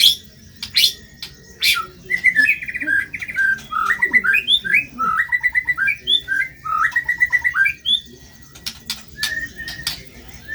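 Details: Murai batu (white-rumped shama) singing hard, from a tutor recording of rough-style material: after a few sharp clicks, a long fast run of varied whistles and chattering notes, nearly continuous for several seconds, with steady low hum behind.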